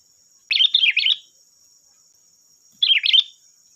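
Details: Kutilang, the sooty-headed bulbul, singing to provoke others into song: two longer chattering warbled phrases of repeated up-and-down notes, about two seconds apart, with a thin steady high tone behind.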